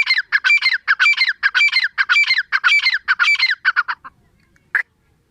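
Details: Teetar or grey francolin uttering a fast, rhythmic series of harsh, squeaky calls for four seconds, ending in a few weaker notes and one last squawk.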